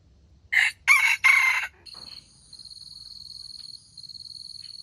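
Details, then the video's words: Wild junglefowl crowing in the morning: a short, hoarse crow broken into three loud bursts, followed by a steady high insect drone. "jungle fowl crowing"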